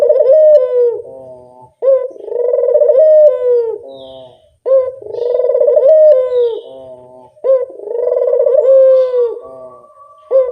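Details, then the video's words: Spotted dove, played as a lure call: low, mellow, rich cooing phrases about two seconds long, each slightly rolling and falling, repeated roughly every three seconds with brief pauses, no other clear sounds. "Suara pancingan burung puter yang anggun"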